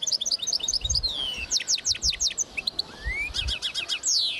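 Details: Linnet and goldfinch hybrid, a mule, recorded in 2010: lively twittering of quick high chirps and downslurred whistles, then a rapid run of sharp clipped notes, a rising slur and a closing burst of repeated notes.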